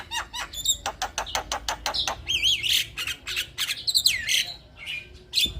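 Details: Chatty song of a male Javan myna: rapid runs of clicking notes, then grating squawks and a sliding, falling whistle, loud and continuous throughout.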